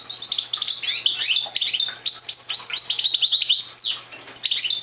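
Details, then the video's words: Parva goldfinch, a young bird not yet in full song, delivers a continuous run of bright, high-pitched twittering and quick chirps, briefly pausing near the end before resuming. "Young Parva Goldfinch singing"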